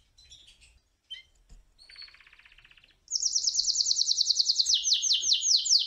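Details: Canary singing to court a female: a few soft, scattered high chirps and a quiet buzzy trill, then a loud, fast, high rolling trill of evenly repeated notes that drops slightly in pitch near the end.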